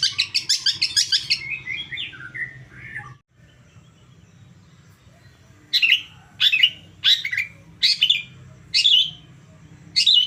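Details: Long-tailed shrike stimulus song. A quick scratchy chatter slides into lower buzzy notes and stops. After a quiet gap, six loud rasping notes follow at roughly one-second intervals, over a low hum.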